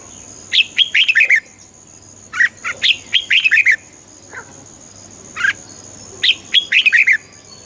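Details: Red-whiskered bulbul song to excite a bird: repeated fast phrases of loud, rising and falling whistles, about a second each, with a few isolated chirps between and a low hum behind.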